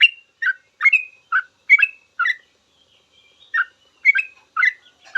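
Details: Song of a sooty-headed bulbul serving as master audio for cage-bird training; a handful of cheerful whistled phrases, some with a sustained ringing tail, a short gap, then several more notes.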